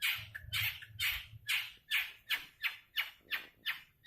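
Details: Long-tailed shrike repeating loud, rasping squawks roughly every third of a second, each note a rough burst that fades quickly.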